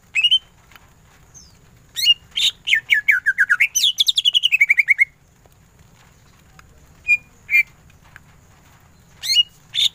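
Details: Greater green leafbird song with ngentrok tembakan: an opening chip, then a long fast stutter of repeated notes that dips and climbs in pitch, followed by sparse sharp chirps after a pause.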